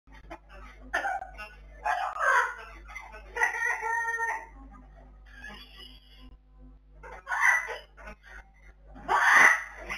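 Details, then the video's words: Blue-fronted amazon recorded in 2020, giving several harsh, harmonic squawking calls in bursts of about a second, separated by quieter gaps, with the loudest rasping burst near the end. "Bluefronted Amazon"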